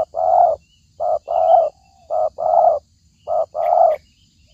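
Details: Lure recording for trapping a spotted dove: a steady series of low, mellow coos, with short notes paired with longer ones, in three evenly spaced phrases. Faint high twitters from other birds sound in the background.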